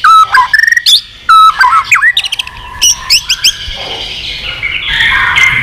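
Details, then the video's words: White-rumped shama, a wild-caught bird with strong contest song, gives clipped whistles and rapid rattles, then quieter noise at the end. "chòe lửa già rừng giọng chất. kích chòe lửa sổ nhiều giọng. chòe lửa căng lửa tạch đập đuôi liên tục"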